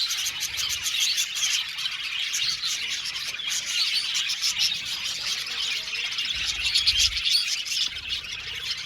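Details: Chirping budgerigars in an aviary colony: thick, ongoing high twittering with scattered squeaky notes, swelling slightly in loudness toward the end, plus occasional faint low bumps.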